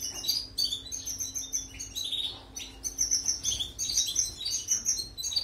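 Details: Song of a European goldfinch, played for canaries to learn from: bubbling high twitters in quick bursts, mixed with a few lower buzzy slurred notes, then dense chattering trills; soft background hum.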